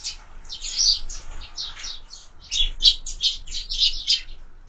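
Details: Sparrows at an active breakfast, feeding at feeders mounted on a window: busy bursts of bright, high chirps come in quick overlapping clusters, several birds calling together, with a low indoor rumble underneath.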